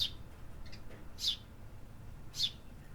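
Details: Urban birds calling in the city: sharp high chirps, one at the start and then two more about a second apart, each brief and bright, against a faint low hum of traffic-like background noise.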